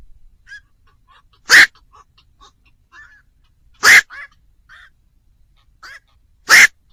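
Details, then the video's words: Three loud, harsh barking calls of a black-crowned night heron spaced a few seconds apart, used to lure birds at night, with faint soft chirps between. "tiếng chim vạc"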